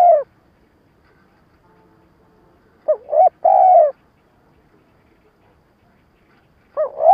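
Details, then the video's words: Lure spotted dove calling to provoke wild doves, delivering a stuttering three-part phrase of short rising notes and one long, level, hollow coo, with phrases spaced several seconds apart and little background noise. "Tiếng cu gáy mồi cà lăm gù - gáy - thúc kích bổi nhanh nổi"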